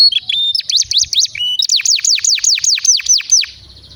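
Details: Canary song to encourage young or silent canaries to sing: a few short notes and quick chirps, then a steady run of repeated downward-sweeping whistles, about four per second, fading at the end.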